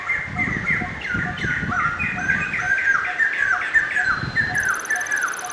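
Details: White-crested laughingthrush heard at a semi-wild snake farm in Tien Giang, Vietnam: a chorus of loud descending laughing notes repeated in quick succession, with steady background noise and faint high electronic tones toward the end.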